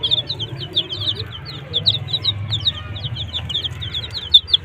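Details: Several desi chicks with their hen give quick, high, downward-slurred peeps in a steady overlapping stream, over a low droning hum.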